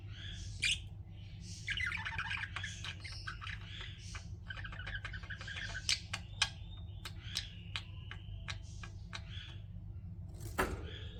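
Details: Pet budgerigars chirping, a busy run of quick clicks, short tweets and warbled notes tumbling together for most of the stretch, over a constant low background hum.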